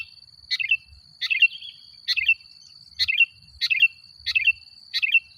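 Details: Sooty-headed bulbul singing vigorously as a lure to provoke rival bulbuls: seven clear, rollicking chirp phrases, each a quick double-noted burst, repeated about every 0.7 seconds, over an unbroken high whine.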